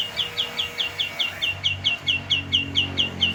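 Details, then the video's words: Myna in continuous song, repeating a short bright downslurred chirp at a steady fast rhythm, roughly five or six per second, with faint low background hum. "BURUNG JALAK TERUS BERKICAU"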